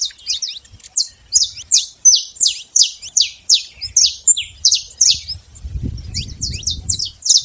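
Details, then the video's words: Free saffron finch in the wild producing steady high downslurred chirps about three per second, with a low rumbling noise rising near the end. "canário da terra livre na natureza"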